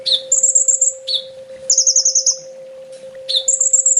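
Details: Sunbird training song: sharp lower chips leading into fast, very high trills that waver slightly, in three phrases separated by brief pauses, with a constant background hum.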